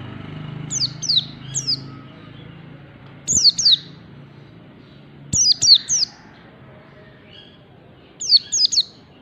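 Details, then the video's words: Pleci, a white-eye, learning the quick 'ngalas' song: groups of two or three thin, descending high chirps, delivered in four bursts separated by short pauses, over low steady hum and occasional soft knocks. "pleci belajar ngalas bukpar MEMANCING PLECI BELAJAR BUNYI CEPAT NGALAS"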